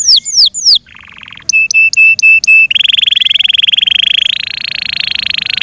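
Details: Yorkshire canary singing varied phrases: a few swooping whistles, a buzzy churr, clipped repeated notes, then a long rapid rolling trill.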